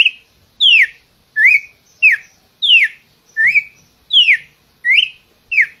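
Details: Red-cowled cardinal delivering a run of loud whistles, downslurred and upslurred notes alternating, about eight phrases spaced evenly across the recording.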